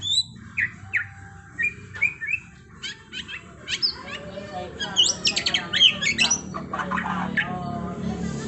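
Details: A white-rumped shama (murai batu, Copsychus malabaricus) sings a loud, varied run of clear whistles, sweeping slurs and fast rolling trills that grow denser toward the end, over a soft low hum.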